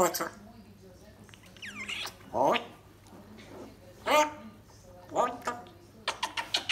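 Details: A pet female talking grey parrot mimics speech in short word-like bursts, with whistled upward sweeps and a rapid run of clicks at the end.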